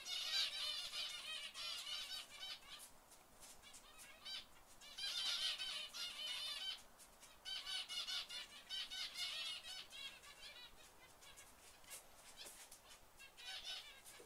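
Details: A white zebra finch and others, filmed in 2011, give bursts of nasal, toy-trumpet calls in quick, uneven chatter.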